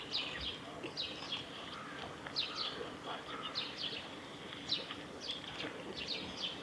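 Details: Japanese waxwings (Bombycilla japonica) in Hadano, Kanagawa, Japan, 3 March 2018, give thin, high, lisping trill calls in short bursts about every second over a soft background hum.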